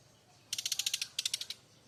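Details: A loud kretekan from a brown-chested jungle flycatcher of Bali: two quick bursts of sharp, dry ticking notes, about nine and six clicks, like a fast ratchet, against a low background hiss.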